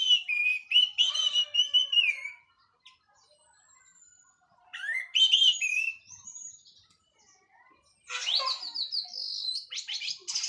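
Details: Orange-headed thrush of Cililin origin, finished moulting, delivering teler-style song in three bursts: warbled whistles and slurs, a rising sweep, then a scratchy high chatter, with quiet pauses between.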